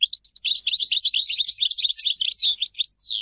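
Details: Continuous fast goldfinch warbling, a tumbling stream of bright twittered and tinkling notes ending in a single falling whistle.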